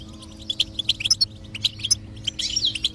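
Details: Goldfinch song for stimulating a quiet goldfinch: rapid, bright, tinkling high chirps in uneven runs of short notes, with a soft droning musical hum underneath.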